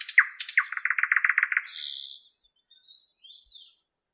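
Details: Thrush nightingale singing in Moscow's Park 50-letiya Oktyabrya on 11 May 2016 at 08:15, taped with a camera and add-on microphone: a rapid train of dry clicking notes, then a harsh buzzy burst, fading into faint high whistles.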